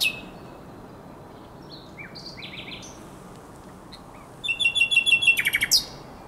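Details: At Żerań Canal on the April night of 23/24, 2022, a common nightingale gives scattered soft whistles and short buzzy phrases, then breaks into a loud, rapid trill of sharp repeated notes ending in a high flourish.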